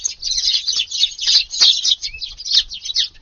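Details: Eurasian tree sparrows come to a garden for breakfast at about 5:30 on a wet 2 August morning; a short, crowded burst of rapid, high, overlapping chirps.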